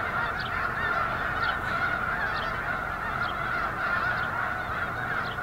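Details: At Eagle Scout Lake on 13 February 2024, a large gathering of snow geese gives a constant clamour of honking, with sharper individual calls standing out every second or so.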